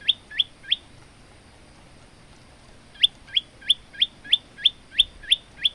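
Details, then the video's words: Male Olive-backed tailorbird singing, kept as a tutor for other birds: three quick rising chips, a pause of about two seconds, then a run of nine more at about three per second. "burung prenjak lumut gacor untuk masteran"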